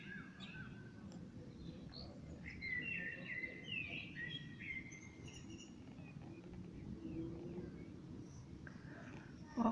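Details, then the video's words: A common blackbird sings at dusk, a fluted descending phrase in the middle with softer chirps around it and a brief sharp knock at the very end over steady low hum. "Abendlicher Amselgesang"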